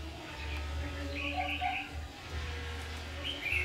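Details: Red-whiskered bulbul recorded while trapping on 7 August 2019, a short warbled phrase in the middle and another at the end, with fainter lower notes and a persistent low hum.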